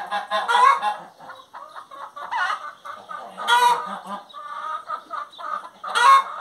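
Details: Singing hen mixing loud rasping squawks with rapid mid-pitched clucks and murmurs, four loud bursts spread across the clip.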